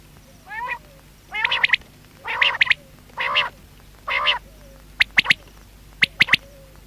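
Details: Series of five harsh, buzzy nasal notes spaced roughly a second apart from a quail (batair), then two crisp triple-note whistled phrases close together.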